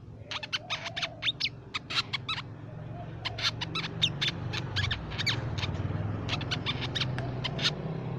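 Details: Song of the crimson sunbird for luring and tutoring songbirds: scattered bursts of high, thin chirps and quick trills over a noticeable low rumbling hum.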